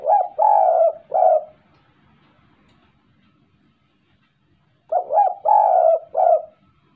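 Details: Courting spotted dove repeating a soft, low cooing phrase of three to four notes, the longest note held in the middle. The phrase is given twice, about five seconds apart, with quiet between.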